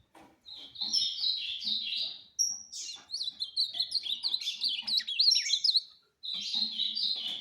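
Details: Ultramarine grosbeak bred for competition singing, delivering rapid, fibrous warbled phrases of high slurred and twisting whistles, several bursts separated by short silences, with faint indoor background noise.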